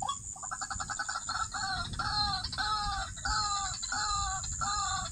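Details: White-breasted waterhen in a clip about trapping waterhens: a steady run of hoarse, nasal kwak notes, roughly one and a half per second, over a constant high insect hiss.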